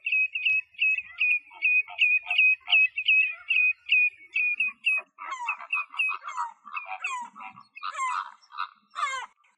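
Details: Flamingo flock at sunrise in Axios Delta National Park near Thessaloniki, Greece: rapid, nasal, goose-like honks, several per second, starting fairly even and then turning into an overlapping, harsher babble of many birds.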